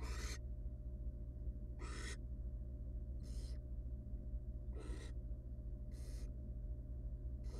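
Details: Barn owl chick in a wild nest box, fed by its mother after struggling with a huge rodent; rasping, noisy hisses repeated roughly every second, against a droning background hum.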